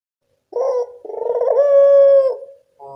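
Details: Barbary dove calling in the evening, a recording used as a lure for doves slow to call: a short rolling trill near 0.5 seconds, then one long throaty coo that wavers, then holds a steady pitch and fades.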